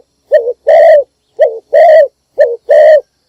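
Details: Decoy spotted dove calling at dawn to attract wild doves: three quick phrases about a second apart, each a short falling coo then a longer, slightly rough coo.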